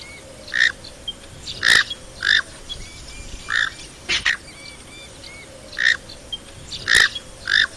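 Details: Knob-billed (comb) duck, Sarkidiornis melanotos, giving short nasal honking notes in loose pairs, about nine over several seconds, with a few sharp clicks and a faint background hiss.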